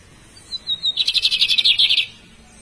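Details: Bigodinho (Lined Seedeater) singing: a faint thin whistle, then a loud rapid series of about fourteen bright, buzzy high notes delivered in a one-second burst, ending abruptly.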